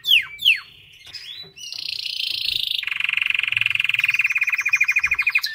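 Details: A white canary sings, opening with two loud downward-swooping whistles before a long, steady rattling trill of rapidly repeated notes that carries to the end.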